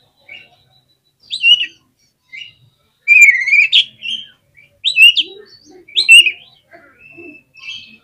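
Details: Oriental magpie-robin (kacer), a caged contest bird, singing an agitated song meant to provoke other birds: loud, varied whistled phrases and sharp chattering notes in bursts separated by short pauses.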